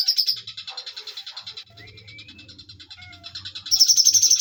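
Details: Bulbul song with high, pulsed trilling that fades to soft lower notes and a couple of thin sliding whistles, before a loud rapid trill returns near the end.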